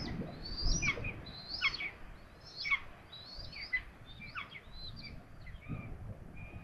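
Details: Common buzzard (Buteo buteo) at Tiszalök, Hungary, recorded during feeding, gives thin, high, wavering calls that slur downward, about one a second, over a low rumble of wind.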